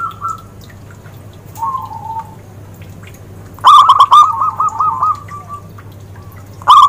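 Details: Zebra dove song with a clear voice, used for luring birds: a quiet drawn-out note early, then a loud burst of rapid clipped cooing notes after a pause and a brief final phrase, over a steady low hum.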